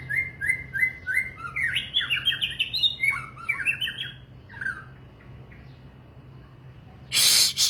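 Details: White-rumped shama singing: a rapid run of clear whistled notes, first several even repeated phrases, then varied rising and falling slurs climbing higher, ending in a loud burst of rustling noise.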